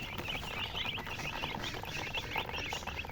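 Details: Chicks peeping constantly, many short high chirps running together in a busy chorus, fairly soft, with a low rumbling hum beneath.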